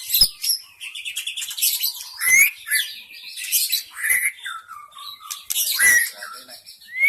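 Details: White-rumped shama of the wild forest, used to lure shamas: sweet upslurred whistles interspersed with rasping chatter and ticking notes, the phrases returning every couple of seconds.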